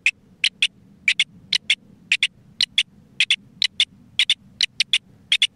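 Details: Rock partridge singing in spring in the Isère mountains during a song-count census: a harsh, rhythmic song of clipped notes in quick pairs and triplets, about three groups a second, over a faint low rumble.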